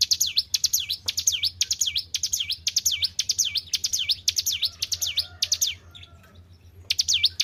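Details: White-browed shortwing kept as a caged songbird, singing a rapid train of swooping high whistles, then falling quiet for about a second before starting again; faint low hum throughout.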